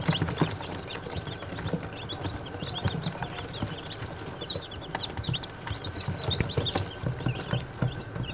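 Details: Day-old Australorp chicks chirping steadily, many thin high peeps that rise and fall, coming in quick overlapping bursts that grow busier midway, with low rumbling noise and faint knocks beneath.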